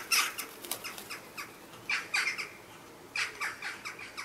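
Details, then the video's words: Western jackdaws in a conflict at a chimney nest site where a pair's chicks are already inside, possibly neighbours or a failed breeding pair harassing them; harsh broadband squawks in uneven bursts, some doubled, with wing flapping. "Jackdaw's conflict on the chimney ニシコクマルガラスのもめ事"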